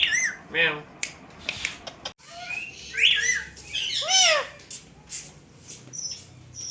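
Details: Indian green ringneck parakeets, a pet family calling at a mirror indoors: arched squawky notes and short whistles, scattered clicks, with a brief louder cluster of rising and falling squawks midway.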